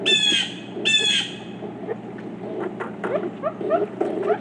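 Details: Pileated woodpeckers, a group of four, with two loud, rasping, downward-slurred calls in quick succession at the start, followed by softer low chattering and knocking sounds in the background.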